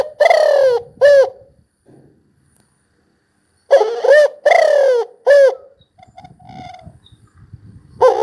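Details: Spotted dove cooing in throaty phrases, each with a drawn-out note and a short upturned ending, separated by pauses with faint background rustling and a soft distant whistle.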